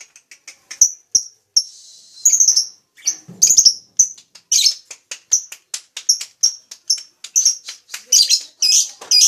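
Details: Lovebird chattering: a long run of sharp, high, clipped chirps repeated rapidly, with a brief buzzy rasp early on and a few louder squeaky notes toward the end.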